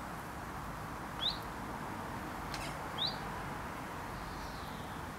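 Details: Alarm call of a common chiffchaff breeding in a UK garden: two brief upslurred "who it?" whistles about two seconds apart, quiet against constant low outdoor noise.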